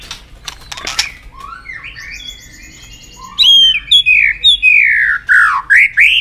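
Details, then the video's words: White-rumped shama singing in a recording meant to stimulate shamas and train them to sing many varied phrases; soft scattered chirps and clicks give way to loud, rich whistled notes with rising and falling slurs. "Kích Chòe lửa Lên Lửa, hót nhiều, chòe lửa đánh đuôi kích cực nhạy.luyện chòe lửa hót nhiều giọng"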